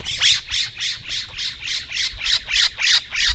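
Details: Steller's jay shrieking in protest at a California scrub jay visiting the feeder: loud, harsh, grating squawks repeated steadily, about eleven in just over three seconds, with faint low knocking beneath.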